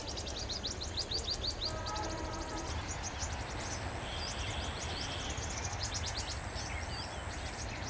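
Thin, high twittering chips in quick runs from a sunbird, with a steady high-pitched whine, over loud low rumbling background noise.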